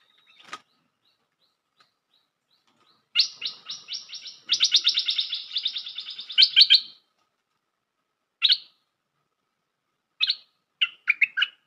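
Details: Bulbul lure for bird trapping: after a sharp click comes a long, dense, rattling run of chattering notes lasting nearly four seconds, then single high chirps and a final quick phrase.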